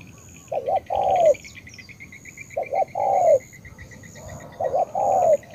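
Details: Spotted dove from Cà Mau, Vietnam, giving 'tú' style coos: three phrases of two quick hoots and a long downslurred coo, with a buzzy pulsing insect-like trill running high behind them.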